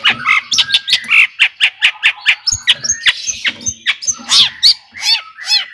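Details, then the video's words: Long-tailed shrike song meant to excite other shrikes into singing: rapid harsh chattering notes repeated about twice a second, mixed with buzzy squawks and brief whistled swoops in a dense, uneven stream. "kicauan Cendet Gacor AMPUH ISIAN MEWAH JUARA COCOK buat pancingan CENDET agar NAIK EMOSI JADI GACOR"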